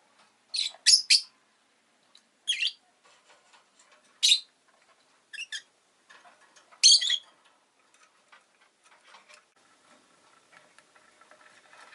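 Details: Scattered sharp chirps from a rosy-faced lovebird, in small groups separated by gaps of a second or more, fading into soft ticking and faint background noise.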